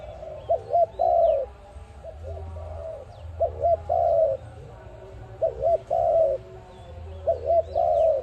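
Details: Dove coo meant to lure birds into a trap: phrases of two short looping notes and a long falling trembling coo, repeated five times, with weaker partial phrases between and low rumbling noise.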